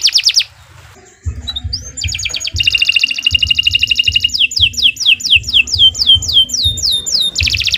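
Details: Canary master song for training young birds: a loud high rolling trill, then rapid repeated notes and a run of falling whistled slurs, with brief pauses and soft low thumps underneath.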